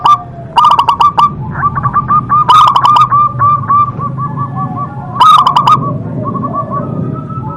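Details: Actively singing local zebra dove with a strong voice: loud bursts of rough, clipped cooing alternate with softer trains of short, even notes and drawn-out tones.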